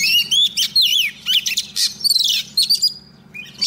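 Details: Decoy female Oriental magpie-robin calling a male with song: clear looping whistles sliding up and down, mixed with short harsh chips and trills in rapid sequence, over a faint low hum.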